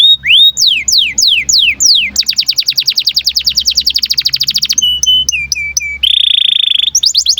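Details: Canary in breeding condition, recorded to teach young birds to sing: a few sweeping falling whistles, then a long rapid rattling trill, short flat piped notes, and a sustained buzzy trill; low steady hum underneath.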